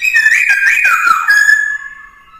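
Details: Black-throated laughingthrush (khướu bạc má) song used in training a young bird to sing. A loud, continuous warbling whistle wavers and slides, broken by quick rough notes, then fades into a softer, long level whistle.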